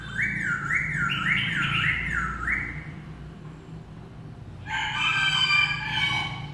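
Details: Black-throated laughingthrush singing: a run of loud, clear whistled notes rolling up and down in wavy loops for about three seconds, a short pause, then a richer, harsher burst of layered notes near the end over low background hum.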